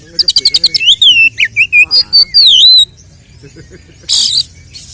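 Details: Oriental magpie-robin (kacer) fighting song to provoke other males: a fast series of about eight sharp clicking notes, then loud downslurred and wavering whistles, a pause, and a harsh noisy burst.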